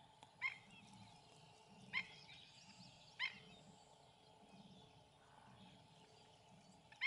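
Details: Black-necked stilts chasing another pair away from their feeding site, with other wading birds still feeding nearby, give three loud, clipped yips spaced over a second apart, then near quiet with a faint low hum.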